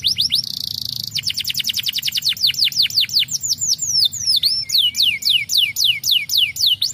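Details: Canary song used to stimulate other birds: a fast high trill, a brief buzzy note, then series of descending whistled sweeps repeated about twice a second, shifting into rising-falling looped phrases.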